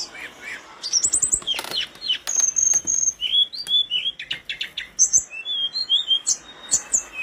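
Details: Energetic mountain flowerpecker song: sharp high clicks and ticks mixed with short thin whistles and twisting chirps, delivered in quick varied bursts with a few percussive taps.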